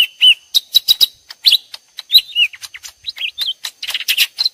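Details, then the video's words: Lesser green leafbird song, mixed from two birds answering each other as if fighting, prepared as a trapping lure. Rapid, varied chirps with slurred whistled notes and short buzzy bursts follow in quick succession, loud and clean with no other sounds. "suara jitu pikat ijo mini || ijo mini gacor"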